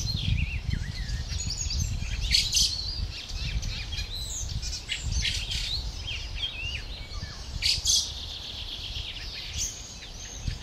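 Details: Young fieldfare waiting for its parents to bring food, recorded 20 May 2013; high chirping calls repeated irregularly, several bursts rising and falling, over steady low rumbling background noise.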